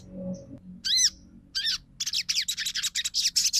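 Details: Crimson sunbird trotol song, a lure to get non-singing birds calling and responding. Two high arched whistled notes, then a quick string of sharp, high chirps repeated several times a second.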